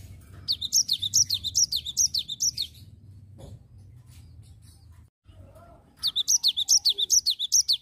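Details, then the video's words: Cinereous tit in full ngerol song: two rapid bursts of high, down-slurred chirps, roughly two notes per second, separated by a few seconds of quiet with low hum and a soft knock. "Gelatik Batu nggacor Ngerol"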